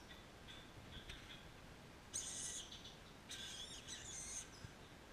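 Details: Two green-naped lorikeet chicks, about six days old and being hand-reared, give soft, high, raspy chirps, then two longer bursts of hissing, buzzy calls over faint background noise.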